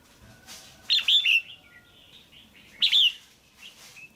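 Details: A female red-whiskered bulbul in a cage gives calls meant to excite a male or to form a pair. Two bursts of quick, chattering chirps are followed by faint whistled notes.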